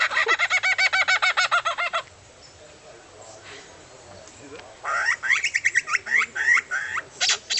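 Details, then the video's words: Albert's lyrebird gives rapid, ringing, harmonic notes, about three a second, then falls quiet before another burst of varied chirping phrases. "Listen to what funny sounds this bird makes"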